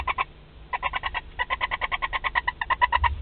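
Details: Barn owl nest in Théding on 31 March 2021, a live wood mouse brought in: quick chittering pulses around ten per second, starting in short groups then running in a steady stream.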